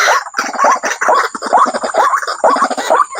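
A waterhen gives harsh, croaking double notes, repeated about twice a second in a steady, grunting rhythm, with a faint high hiss behind.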